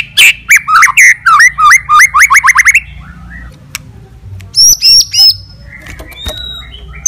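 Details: White-rumped shama fighting song that provokes other shamas: a rapid loud string of about a dozen upswept whistled notes, then quieter pauses and a few high thin whistles and clicks.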